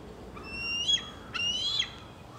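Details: Fledgling eagle in Gloucester, Massachusetts, July 2024, giving two high, piercing whistled calls about half a second apart, each rising and then breaking off, over a soft outdoor background hiss.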